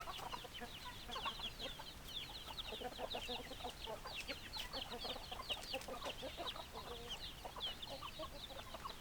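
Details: Chickens in a flock: steady low clucks mixed with a dense stream of high, quick downward peeps throughout, many birds calling at once with no pause.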